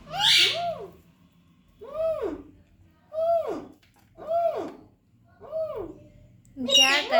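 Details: A baby parrot repeating a short mimicked phrase, five arched, hoarse, rising-then-falling syllables about one second apart, ending in a harsher, noisier call.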